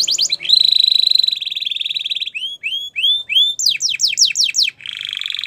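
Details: Gloster canary singing a buzzy rolling trill, then a few separate rising whistled notes, quick downslurs, and a closing buzzy phrase.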